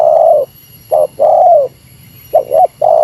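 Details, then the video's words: Spotted dove lure calling at a rival in the meratus style, a long hollow coo ending, then a short note and another long falling coo, followed by a double clipped note and the next phrase starting. "Suara Burung Tekukur Meratus Lawan 3 detik Lawan Turun Dari Paparan"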